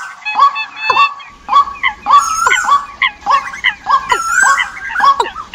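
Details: Bird lure calls for the migratory season, Vietnam: a dense run of nasal, yelping notes with strong overtones, repeated almost twice per second with overlapping higher chirps throughout.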